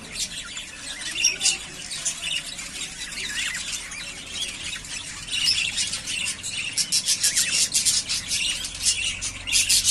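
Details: Yellowface spangle budgerigars, three breeding pairs ready to breed, trade a busy stream of shrill chirps and squeaks. Quick, loud pulsed bursts near the end.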